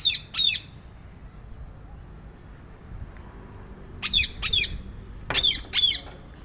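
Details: Harsh, shrill screeches of a rose-ringed parakeet, delivered in pairs: one pair at the start, then after a pause two more pairs in close order, each note rasping and high.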